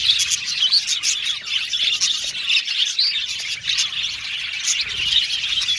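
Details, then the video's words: Male violet budgies chattering together in an aviary, lively bursts of chirps, whistled squeaks and warbling from many birds, rising and falling in loudness. "Beautiful budgies chirping sound"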